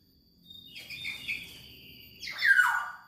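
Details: Black-naped oriole, described as a very vocal singer: a fainter whistled phrase held near steady pitch, then a louder harsh, downslurred burst, over a low background hum.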